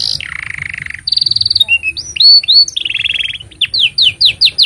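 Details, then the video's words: Canary in full long song, used as a master recording for training young canaries and prompting silent ones: a buzzy trill, fast high rattles, sweeping whistled slurs and a run of rapid descending chips, loud and close. "Kenari Gacor Panjang Ini Bagus Untuk Masteran Kenari Paud Dan Pancingan Kenari Bisu"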